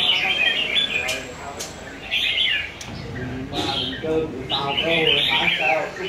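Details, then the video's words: Competition singing from a red-whiskered bulbul in Vietnam: rapid, twittering high phrases come in separate bursts, with sharp clicks, knocks and talking people in the background. "chao mao hot hay | Chào mào A lưới chơi giàn quá đẹp"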